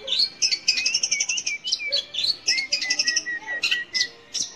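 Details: Song of a long-tailed shrike meant to prompt young or silent shrikes to sing: spaced harsh high bursts alternating with slurred whistles, then a string of evenly repeated short downslurred whistled notes.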